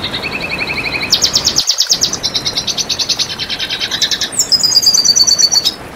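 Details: Red siskin song used to tutor and lure other birds: bright, high chirping trills in shifting sections, each a fast stream of repeated notes, with a brief gap midway and a sweet, level trill at the close.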